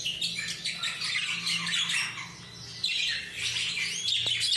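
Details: Parakeet flock chattering together in a thick mass of high, scratchy squawks and twittering notes, briefly easing in the middle before swelling again, over a faint low hum.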